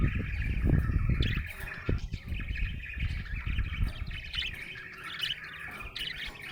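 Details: Budgerigar in a happy mood, warbling continuously with short raspy chirps and squeaks, partly masked by low thumping noise early on.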